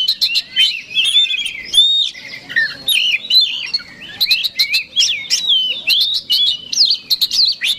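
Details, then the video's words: Kacer, the Oriental magpie-robin, singing hard to goad an opponent: rapid varied phrases of bright whistled notes, rising and falling slurs and clipped ticks packed closely together, clean and unaccompanied. "PANCINGAN KACER SUPER BOCOR NGOTOT TARUNG BIKIN LAWAN MBAGONG"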